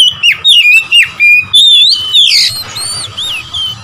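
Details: Provocation song of an Oriental magpie-robin aimed at rival birds. It delivers rapid, loud whistled notes, each bending sharply up or down, nearly four per second at first, then softer looping whistles toward the end.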